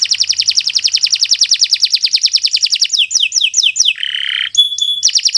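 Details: Long, continuous canary song meant for tutoring other birds: a sustained rapid pulsing trill, a few downward-swooping whistles, a short harsh buzz, then trilling again.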